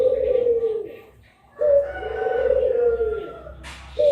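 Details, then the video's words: Puter pelung collared dove giving long, drawn-out low coos, each sliding slightly downward and lasting about a second, separated by short pauses, with faint higher tones above. "PUTER PELUNG MASTERING || PANDUAN SUARA 2 BURUNG INI"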